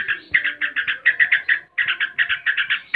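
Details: A yellow-vented bulbul sings in its typical ngebren (gacor) shooting style, a fast, bubbly run of chirping notes, about seven to eight a second, with only a brief pause.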